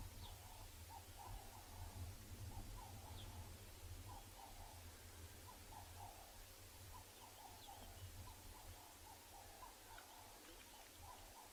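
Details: A distant Ring-necked Dove gives soft, mid-pitched cooing notes in a steady series, one to two a second, over a low wind rumble in a quiet riverbed at Ngala Private Game Reserve, South Africa, on the morning of 15 May 2020.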